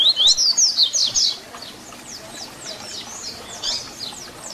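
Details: ["Papa-capim (double-collared seedeater) sings a 'Tui Tui Zel Zel' fibra phrase used to teach young birds. The clip opens loudly with rising whistles and rapid shrill notes, then fades to soft, scattered high chirps."]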